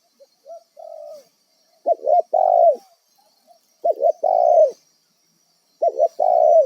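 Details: Wild spotted dove kept as a trapping decoy, giving low mellow coos: a short doubled note followed by a longer drawn-out coo, repeated about every two seconds in a quiet setting.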